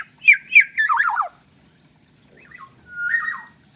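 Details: Bali black-naped oriole in full voice, opening with two sharp high whistles and a falling buzzy rasp, then a soft brief whistle and a drawn-out mellow fluted note with a rough edge.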